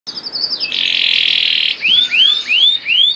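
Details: Canary song played as a lure to prompt other canaries to sing: a long buzzy sustained note near the start, then a series of four bright rising slurred whistles.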